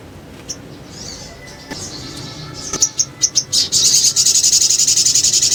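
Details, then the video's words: Little spiderhunter (sogon) ngriwik ngleper song used as a lure: scattered thin high notes, quickening sharp chirps, then a loud rapid high trill. "PANCINGAN SOGON NGRIWIK NGLEPER"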